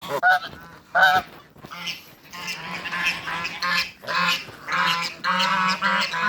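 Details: Male and female Toulouse geese meeting in a backyard, giving loud harsh honks: two short separate blasts, then a long run of overlapping nasal honks from several birds.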